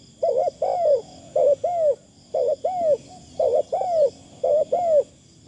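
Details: A decoy spotted dove calls in Thailand, with a voice described as very good and light. It gives paired, hoarse, arching coos, repeated about once a second in a steady rhythm, over a faint high steady hum.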